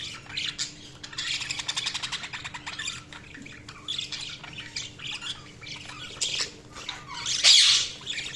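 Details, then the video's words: Budgies chattering in a continuous high, raspy warble with rapid clicking chirps, several birds overlapping, one louder harsh squawk near the end, and a low steady hum beneath. "Budgies Sounds| Budgies Chirping sound"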